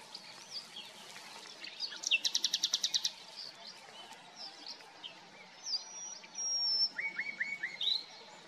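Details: Common nightingale (Luscinia megarhynchos) song: varied phrases with a fast run of about nine identical notes, sharp whistles and rising slurred notes; faint chirps and rural background noise.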